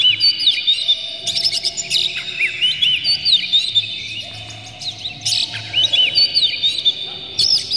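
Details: Oriental magpie-robin delivering a full, varied song to goad other magpie-robins into singing: fast, almost unbroken strings of whistled upslurs, downslurs and sharp chips, with a low steady hum underneath.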